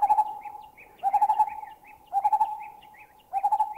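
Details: Two lineated barbets in Thailand trade a bubbling call and a double note call, with a greater cuckoo whooping in the background. Runs of hollow, pulsing notes come every second or so, and faint high chirps dot the gaps.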